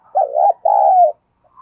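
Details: Decoy spotted dove cooing to attract wild birds: one forceful two-part coo, a short wavering note followed by a longer, even note that falls slightly at the end, in a quiet setting.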